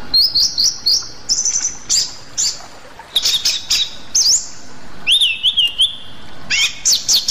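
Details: Rueck's blue flycatcher, a flycatcher found only in Sumatra, delivers rapid bursts of high chirps. These are followed by a lower, wavering whistled phrase and more quick twittering notes.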